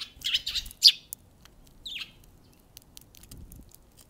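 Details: A wild Eurasian tree sparrow, the day's first visitor on 13 February, gives a quick burst of loud, harsh chirps, then one lone descending chirp, in otherwise quiet surroundings.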